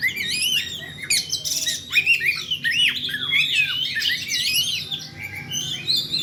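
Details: Oriental magpie-robin in 'ngeplay' calling: a rich tumble of looping whistles, harsh squawky notes and rapid slurs, densely layered and almost unbroken throughout.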